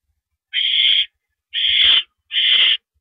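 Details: On April 5, 2012 at 10:30 PM an owl delivers a mouse to the nest; three drawn-out, harsh hissing rasps sound within three seconds, with a brief low thud between them.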